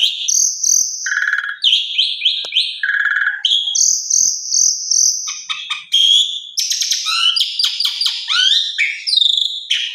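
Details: Asian pied starling lure song for fast-breaking time, rich in varied fill-in phrases: sustained high whistles alternating with short stacked, nasal honking notes and quick chattering bursts, loud and continuous with no other sounds.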